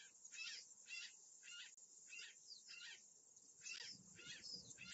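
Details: An Azure Jay repeats rasping, buzzy squawks roughly twice a second, eight in a row, on a live camera recording from 11 July 2013, 13:56 Brasília time, over a constant high-pitched hiss.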